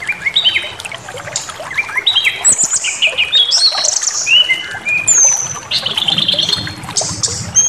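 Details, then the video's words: Brown-chested jungle flycatcher song for provoking aggression: quick stepwise whistled phrases, buzzy rising notes, and long high thin whistles, delivered in an energetic unbroken stream. "Pancingan Emosi SRDC Awas Ikut Ngamuk Bongkar Materi"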